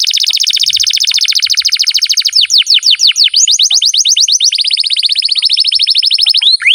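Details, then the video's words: Canary singing loudly and continuously in a long training recording meant to coax young birds: a dense high rolling trill, then sharper downslurred notes, then an even buzzy roll closing on a quick falling note. "MASTERAN KENARI GACOR PANJANG"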